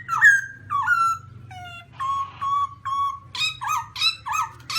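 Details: Black-throated laughingthrush (Garrulax chinensis) whistling clear slurred notes, some falling, some level, followed by a run of harsher, louder rising notes, with a constant low hum in the background.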